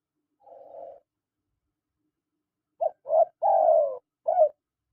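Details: Male and female spotted doves calling: soft hollow coos, one drawn-out note followed after a pause by a quick run of short coos and a longer falling one, in a quiet setting.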